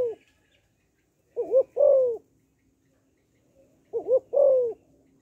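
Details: Calling female spotted dove, used to stir males: a faint coo tail at the start, then two full phrases about 2.6 seconds apart, each a wavering double note plus a longer falling note, over a steady faint hum.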